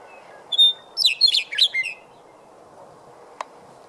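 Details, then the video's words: Western Meadowlark heralding spring near the South Platte River on March 12, 2015: one clear, high whistle, then a rapid, bubbling, flute-like jumble of descending notes lasting a second, followed by a faint hum and a brief click. "Western Meadowlarks Singing"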